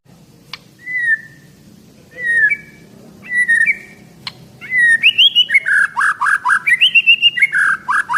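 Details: Eleven-month-old Medan white-rumped shama, a caged 24 cm contest bird praised for frequent loud singing packed with learned mimicry. Separate clear whistled notes with pauses between them build into a quick run of varied, rising and falling whistles and chips.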